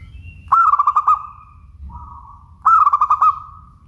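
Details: Two loud rolling coos from a local zebra dove, each a burst of quick throbbing pulses fading into a held tone. A softer, smooth coo falls between them.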